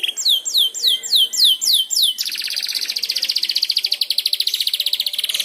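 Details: Young canary learning its song, triggered by another canary's singing: six loud downslurred swooping whistles in quick succession, followed by a long, even, fast trill at high pitch.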